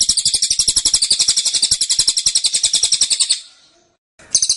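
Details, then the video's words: Cililin delivering its 'tembakan' song, dense and persistent: fast, evenly spaced high chirps for over three seconds, a fading pause, then a fresh burst begins. "Tembakan Cililin Suara Rapat Dan Ngotot"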